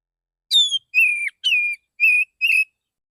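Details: Relaxed male Oriental magpie-robin in the morning, calling other magpie-robins, used as a lure: a high falling note followed by four even, clear whistles, each about a quarter second long.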